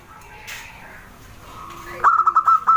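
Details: Local wild zebra dove, small and singing actively: faint murmurs, then a quick burst of short, clipped cooing notes with a bright ringing tone, repeated rapidly near the end.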